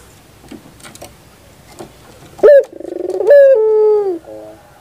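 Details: Morning song of a puter pelung dove: after faint background noise, a sharp note leads into a fast rolling trill, then a drawn-out sustained coo easing downward and a quiet low tail.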